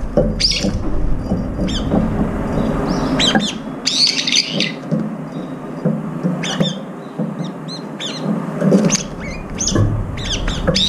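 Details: Several brown-eared bulbuls feeding together and competing for food, one with a disabled left foot; sharp rising chirps sound in irregular bursts over a steady low rumble and pattering noise.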